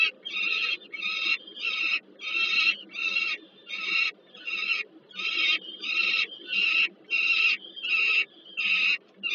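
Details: Peregrine falcons nesting at Żerań heat plant, Warsaw, 15 August 2022, during a food hand-over. Persistent grating wails, roughly one every 0.7 seconds for over nine seconds, each harsh and overtone-rich. A steady low drone runs underneath.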